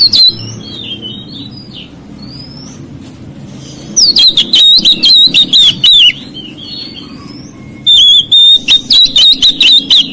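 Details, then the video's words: Oriental magpie-robin song said to rile other magpie-robins: soft slurred whistles first, then long runs of loud, rapid, wavering whistled notes beginning around the middle and again near the end. "KICAUAN KACER MEMICU EMOSI KACER LAIN"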